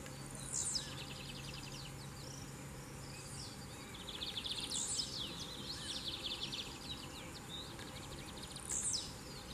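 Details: A Lined seedeater singing a lot in the wild gives high, buzzy trills broken by sharp chipping notes, repeating over several seconds above a steady low background hum.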